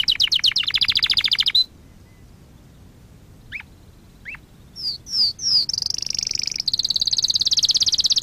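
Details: Canary singing as a training lesson for canaries: a rapid high rolling trill, a pause with two quick downward-slurred chips, three descending sweeps, then a long, steady buzzy high trill.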